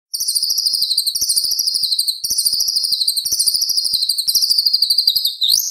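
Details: White-rumped shama singing in contest-style tutor material for spotted young birds: a steady, fast, high buzzy trill that pulses in rapid bursts, repeated in three long runs with brief gaps, insect-like in quality.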